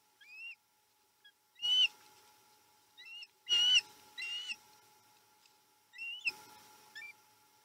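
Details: At a Chesapeake osprey nest on 7 April 2020: short, high, whistled calls from an osprey, given in separate bursts of two or three notes with quiet gaps between them.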